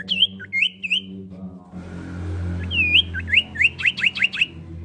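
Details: Female common iora calling the male: clear whistled notes that dip and rise, a few spaced phrases, then a quickening run of about seven sharp upslurred notes, over a steady low hum.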